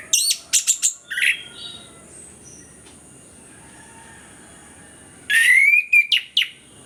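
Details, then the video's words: Orange-headed thrush (anis kembang) song used as a lure recording to prompt reluctant birds to sing: two loud bursts of rapid, harsh, sharp notes and a bright rising whistled slide, separated by a quiet pause of about four seconds. "ANIS KEMBANG GACOR, PANCINGAN AK MALAS BUNYI BIAR GACOR"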